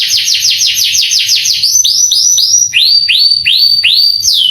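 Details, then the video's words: Canary song played to provoke young canaries into singing: a quick string of downslurred notes, then slower loud whistled notes that rise, peak and drop, each about half a second apart. "MASTERAN KENARI bikin KENARI PANAS EMOSI langsung gacor"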